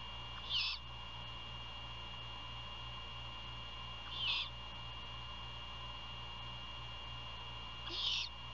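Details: Great horned owl nest near Savannah, Georgia, 1:38 AM, 27 February 2022, prey handover and night feeding; three brief hissing screeches spaced about three and a half to four seconds apart, over a continuous electrical hum.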